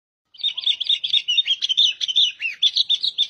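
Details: Albino sooty-headed bulbul, called kutilang locally, delivering a continuous, busy warble of high chirps, slurred notes and short falling whistles, run together quickly with no pauses over about three seconds, in quiet surroundings.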